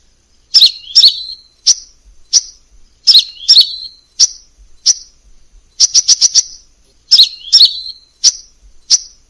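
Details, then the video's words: High crimson sunbird phrases from a varied tutoring song: pairs of squeaky downslurred notes followed by single sharp chips, repeated in a loose cycle, with one quick burst of four ticks. "masteran burung sepah raja banyak variasi"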